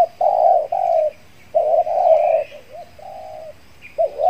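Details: Trained decoy spotted dove in the Riau Islands, Indonesia, taken out to lure wild doves after finishing its moult; mid-pitched hoarse coos in a stuttering phrase, several notes then a pause and a softer repeat.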